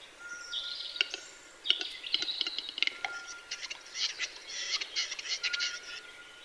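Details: Western capercaillie lekking: rapid clicking leading into rasping, hissing bursts, mixed with thin whistled notes and warbling from other birds nearby.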